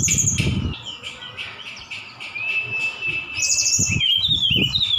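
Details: Javan bush lark from Sukabumi singing with borrowed phrases of cililin and sikatan Londo. A long steady whistle runs under thin high notes, ending in a trilled descending phrase, with dull low bumps at start and end.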